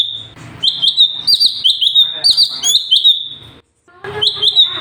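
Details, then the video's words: Cucak cungkok, or sooty-headed bulbul, singing 'gacor' for tutoring other birds: a steady run of high, bright whistled notes with quick upward tails, a short break, then the song picks up again. "CUCAK CUNGKOK SUPER GACOR - UNTUK MASTERAN BURUNG"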